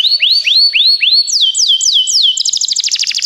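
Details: Begie canary song for training: a series of arching rising whistles about three per second, then drooping downslurred notes, then a fast high rattling trill; clean recording.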